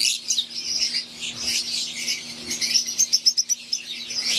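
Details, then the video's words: Wild-type green Fischer's lovebirds with Euwing birds in an aviary, a flock chirping continuously in dense high, shrill overlapping notes, with a quick run of sharp chips near the end over a faint steady low hum. "Wild type Fischer green & Euwing | Relaxing Sound | Birds Chirping"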